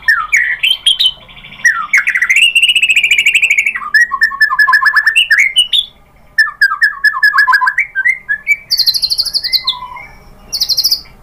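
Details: Varied white-rumped shama song played to draw out singing: rich whistled phrases, a long sustained note, rapid rolling trills, then high thin buzzy notes toward the end.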